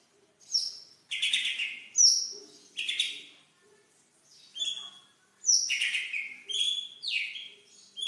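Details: White-rumped shama singing as a lure to prompt mute shamas and stir rivals: loud, clear whistled phrases that drop in pitch, delivered in separated bursts with short silences between them.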